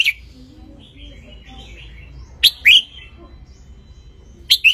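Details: Wild Ratchaburi red-whiskered bulbul sunning, song used for teaching young birds; loud sweet slurred notes dropping in pitch arrive in two quick bursts, with faint softer warbles between them.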